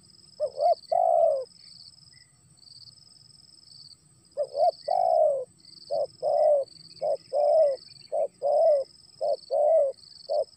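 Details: Spotted dove cooing while sudden rain falls, opening with one phrase, pausing about three seconds, then a run of rapid short and longer mellow coos, accompanied by a continuous faint high-pitched hum.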